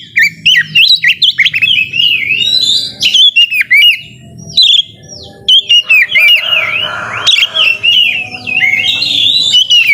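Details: White-rumped shama in full song, played to provoke lazy shamas into singing: loud, varied whistled phrases with sweeping rising and falling notes, sharp clicks and chattering bursts, delivered continuously with brief gaps.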